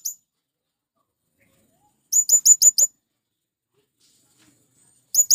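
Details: High, sharp chirping of a male blue-crowned hanging parrot calling to attract wild birds: a tight run of five squeaky notes mid-clip, with single chirps at the start and end, quiet otherwise.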